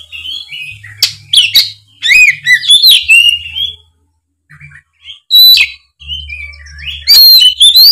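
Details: Loud 'gacor ngeplong' song of an Oriental magpie-robin, used to prompt juvenile spotted kacer; varied whistles, sharp chips and trills in several bursts separated by short pauses, with a faint low hum.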